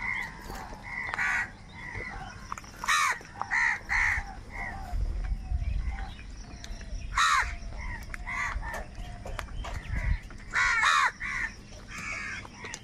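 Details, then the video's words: A big gathering of crows quarrelling over food. Irregular volleys of harsh caws come both close and farther off, with short sharp outbursts and soft low rumbles of background noise. "কাকের ডাক Crow Sound Crow ki Awaz Loudly | Huge Numbers of Crows Crowing and Crying sounds"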